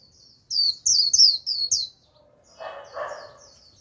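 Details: Japanese white-eye lure bird singing to attract a wild flock: a quick run of five high, bright, slurred chirping notes, then softer high twitters over a lower, rougher burst of sound.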